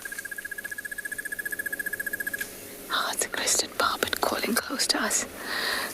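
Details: At sunrise on 21 May in Tswalu Kalahari Reserve, South Africa, a Crested Barbet gives a fast, even trill of rapid pulses for over two seconds, like a ringing alarm clock, followed by a person speaking.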